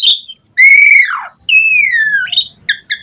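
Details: Asian pied starling song used as a lure to make other starlings reply: loud drawn-out whistles sliding down, a long falling whistle, then short bright notes.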